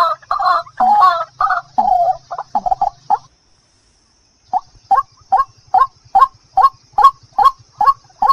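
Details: White-breasted waterhen lure call meant to draw birds in: opening burst of rapid, harsh chattering notes, a short silence, then a regular sequence of croaking notes about twice per second over a faint low hum.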